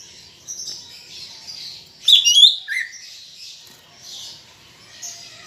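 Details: Greater green leafbird song played to coax other leafbirds into song: mostly soft high chatter, broken midway by a loud burst of tangled high notes and one downward-slurred whistle.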